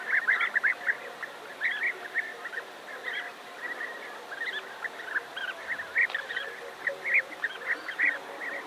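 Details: Large colony of European bee-eaters near Navalcan, New Castile, Spain: a dense, continuous chorus of short rolling, mid-pitched calls from many birds, overlapping throughout, with a guitar playing in the background.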